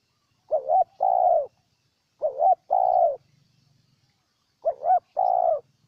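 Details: Spotted dove from Ninh Thuận, Vietnam, giving three clear cooing phrases, each a short wavering double note followed by a longer steady coo, repeated about every two seconds in a quiet setting.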